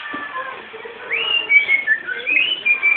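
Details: Home-bred cockatiel warbling a whistled tune, with rising swoops and short clear level notes linked in a flowing, unbroken phrase.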